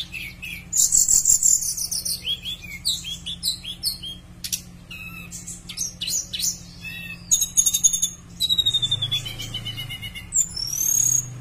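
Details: A Horsfield's bush lark sings a fast, varied run of high chirps, rattling trills and sliding whistles with short pauses; the recording is a lure to get other bush larks singing.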